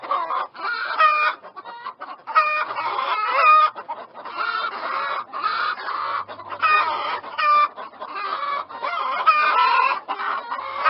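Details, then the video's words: Continuous clucking from many chickens, busy overlapping squawks and short clucks with few pauses. "chickens clucking sounds of chicken"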